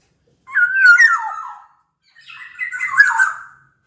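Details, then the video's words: Black-naped oriole from Sumbawa, a big-bodied captive local bird in full song, used as a lure to get silent orioles singing: two fluty, slurred whistled phrases, each about a second long, dropping in pitch with a slightly rough edge, separated by silence. "Kepodang Lokal Gacor Suara Buat Pancingan Burung Kepodang Agar Bunyi"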